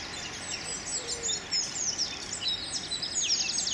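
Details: A male Eurasian blackcap in a weeping willow in London sings a rapid, high, scratchy territorial warble of sweeping notes and twitters. Other birds join the chorus over a soft background hiss.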